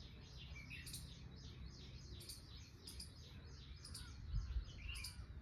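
Short, high bird chirps come in loose bursts every second or so. A steady low rumble of wind or distant traffic runs underneath.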